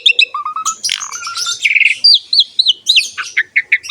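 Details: Short burst of Asian pied starling song, a training recording for stimulating other starlings: low repeated whistles, a fuzzy buzzing note, then quick high slurred chirps tumbling in succession.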